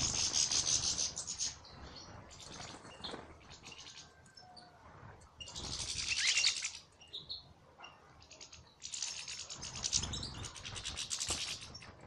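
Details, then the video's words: European goldfinch singing salaka style, with repeated bouts of rapid, buzzy, fizzing trills high in pitch, separated by short pauses with scattered chirps and a few thin whistles. "مقطع رائع لطائر للحسون فى السلاكة"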